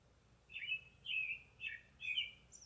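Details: Northern cardinal singing four clear, slurred whistled phrases in a row, each sliding downward, with short pauses between them and a quiet background.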